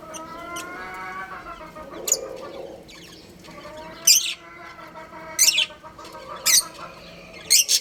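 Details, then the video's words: A caged breeding pair of budgerigars kept as home pets: short, harsh, high-pitched chirps come roughly once a second in the second half, over a steady low hum and faint background sounds. "Beautiful Budgies Chirping Sounds"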